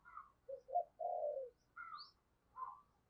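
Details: Spotted dove used as a decoy, cooing and calling to lure wild doves: a run of short hollow coo notes with brief pauses, a longer drawn-out middle note and a few higher, thinner notes, in a quiet setting.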